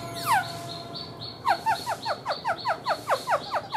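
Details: Caged black-throated laughingthrush performing its singing-dance, tail fanned like a fan: one long descending whistle, then a rhythmic series of about ten sharp downslurred notes, roughly four per second.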